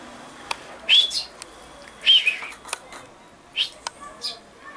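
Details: Common chaffinch on 22 August 2013, two louder buzzy chirps a second apart followed by a softer one, with sharp ticking clicks scattered in between.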